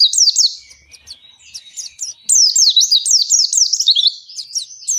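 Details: Oriental white-eye long continuous 'gacor ngalas panjang' song, played to get captive birds singing: rapid high, sharp chirps and trills in dense bursts, with a short quieter gap before a loud run of zigzag notes.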